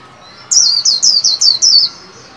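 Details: Caged white-eye, trained to sing the chattering líu song, for the new year 2021: five bright, high, downward-slurred whistled notes in quick succession, about one per quarter second, over a quiet hiss.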